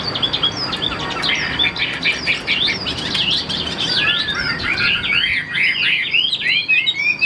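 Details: Captive Chinese hwamei singing a fast, varied run of loud whistled phrases: rising and falling slurred notes, twisting trills and sharp upswept whistles that follow one another without pause.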